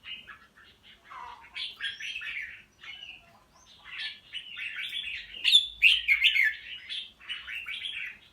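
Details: Red-whiskered bulbul of the pied form, caged and singing with a good fighting attitude. Busy, jumbled chattering phrases with warbling, slurred notes, building to louder and sharper bursts near the end, with brief pauses between runs.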